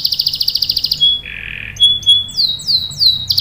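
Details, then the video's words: Canary song meant to draw other canaries into singing: a rapid high trill, a lower buzzy rolled note, a steady whistle, then several falling whistled sweeps. "PANCINGAN KENARI GACOR cuit cuit bikin NYAUT ikut BUNYI NGEROL PANJANG ¦ CANARY SINGING"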